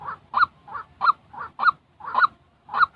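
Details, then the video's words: Real white-breasted waterhen call for decoy training in trapping: alternating softer and louder harsh notes, the louder ones about every half second, in a somewhat irregular pattern. "tiếng chim quốc thật"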